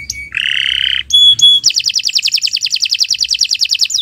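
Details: Canary singing in the morning, a long, vigorous song of the kind used to tutor other birds: a buzzy burst, then two clear high whistles, then a fast, even trill of sharp repeated notes that runs to the end.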